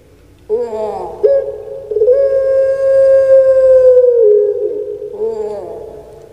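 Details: Kept puter pelung collared dove cooing: a short throaty opening note, then a long, deep, drawn-out steady coo held for about two seconds that drops at the end. A brief rough note follows.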